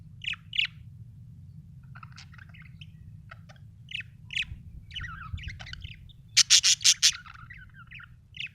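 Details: Budgerigar chirping in short bright notes and scratchy warbled phrases, building to a loud rapid run of harsh buzzy pulses before softer chirps resume, with a low background hum.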